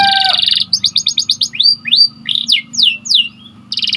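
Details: White canary song used for training other canaries: a dense buzzy trill, then clipped repeated chirps and a series of separate rising and falling whistled sweeps, over a low steady hum.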